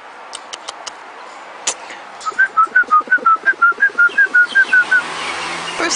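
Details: Pet galah cockatoo whistling while having its head scratched: a string of about sixteen quick, even, clear whistled notes wavering up and down, with tapping and room noise around.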